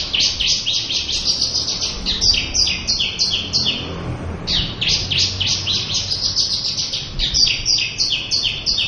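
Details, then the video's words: Local Javan bush lark in lively full-repertoire song, a fast torrent of short high buzzy and sweeping notes that breaks off once near the middle, then resumes without slowing. "Suara Burung Branjangan Lokal gacor full isiaan."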